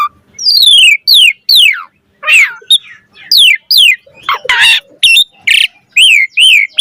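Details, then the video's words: Asian pied starling delivering full varied chatter in 'gacor mompa' style: a series of steep downslurred whistles about every half second, then grating noisy notes and repeated looping whistled phrases near the end. "Jalak Suren Gacor Mompa Full Variasi Ocehan"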